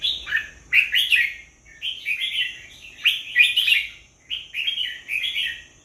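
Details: Red-whiskered bulbul singing clear, bubbly, warbled phrases about every one to one and a half seconds, each a quick run of rising and falling slurred whistles with sharp accented starts.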